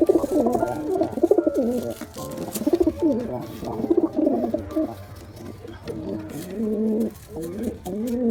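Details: Pigeons, male and female together, giving a run of deep rolling coos in bursts, several overlapping phrases with brief gaps between them.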